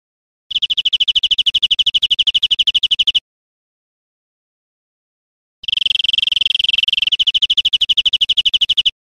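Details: European greenfinch song for tutoring caged birds: two long, rapid trills of evenly repeated high notes, each lasting about two to three seconds, separated by a pause of silence.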